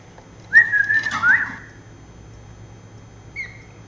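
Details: Lory parrot giving one warbling, whistled call that wavers up and down for about a second, followed after a long quiet gap by a single short, clear whistled note.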